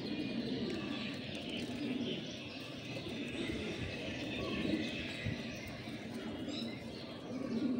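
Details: A group of pigeons together, with soft, low cooing bursts now and then, partly buried under steady broadband rustling and background noise.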